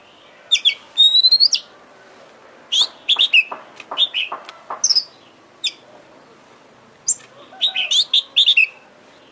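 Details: Oriental magpie-robin singing a lure song intended to make another bird sing and fan its tail. Scattered bright whistles, abrupt chirps and rapid twittering phrases are separated by short silences, with a faint low hum behind.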